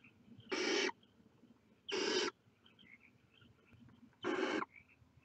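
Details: Three short, harsh hissing bursts from barn owl chicks putting their heads outside the nest, spaced unevenly over about four seconds against faint background noise.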